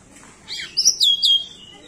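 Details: An endemic pied bushchat from Nusa Tenggara sings very actively with a varied, filled-in repertoire. A short phrase of high whistled notes rises, then slides down and trails off.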